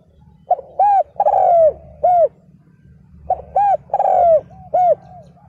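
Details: Decoy spotted dove calling to lure wild males: two phrases, each of short arched coos around a long, falling, buzzy note, spaced about three seconds apart, over a low rumbling hum.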